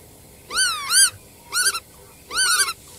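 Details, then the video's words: Three drawn-out calls from a black-tailed godwit, each a nasal, wavering note rising and dipping, the first doubled, in under three seconds. "黑尾鷸(黑尾塍鷸)/Black-tailed Godwit"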